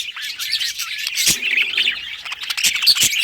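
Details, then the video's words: Budgerigars singing happily, a dense stream of chattering, warbling chirps and short squawks high in pitch, with clicking notes throughout. "Budgie singing happy | Birds chirping | Parakeet happy life"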